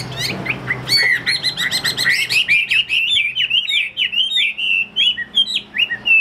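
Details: Chinese hwamei kept as a caged bird for sale, said to have a fanned tail, delivering a lively stream of rich whistles: an opening jumble of sharp notes, then evenly spaced, looping phrases repeated several times a second.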